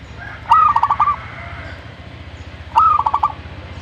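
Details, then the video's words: Zebra dove singing two phrases about two seconds apart, each a brief trill of rapid cooing pulses lasting about three-quarters of a second, with a low steady hum beneath. "burung perkutut ini yang dicari"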